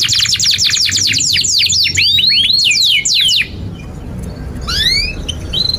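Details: Long canary song for training young canaries, a rush of rapid downward-sweeping notes for over three seconds, a sudden pause, then a few soft rising whistles.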